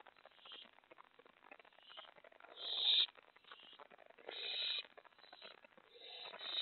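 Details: At a mouse delivery at 2:50 AM, 25 May 2017, five owlets sit on a nest box porch, tray and lookout; rasping hisses come in a run of short bursts, two louder ones standing out, with steady low hiss between.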